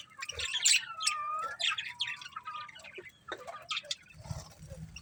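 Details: Budgerigars twitter in a warbling run of quick chirps and short whistled slides that fade into softer scratchy noise toward the end.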